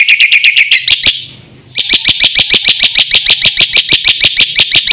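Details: Energetic black-winged myna song packed with fill-in phrases from a champion singer. Rapid harsh high notes run in a steady stream, break off for a moment, then resume in a long, even, metallic series.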